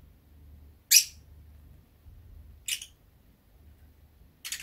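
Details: Three short, sharp, high chirps spaced roughly two seconds apart from a drowsy pet Fischer's lovebird indoors in warm weather, with a faint low room hum between them.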